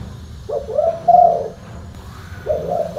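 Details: Spotted dove prized for a deep full-bass call gives one complete low cooing phrase, a short lead note sliding into a long mellow coo, then begins another.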